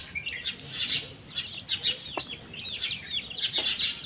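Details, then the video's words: Mother hen with chicks feeding: high, sweet chick peeps in quick, irregular bursts, some notes slurring down, roughly once per second in clusters, with a couple of brief low taps. "Chickens and chicks eating sound"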